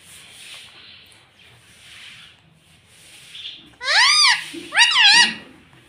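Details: Parrot, a talker said to say mummy and papa. Faint breathy sounds give way to two loud, arching, harmonic voice-like bursts close together near the end.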